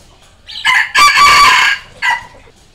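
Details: Red junglefowl decoy crow, used to lure and challenge wild junglefowl, which answer it. One three-part crow: a short opening note, a longer sustained harmonic middle phrase, then a brief clipped final note, in a quiet background.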